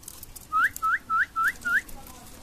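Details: Common myna, known locally as shalik, kept as a talking bird: five loud rising whistled notes, evenly spaced about a third of a second apart, over low background noise.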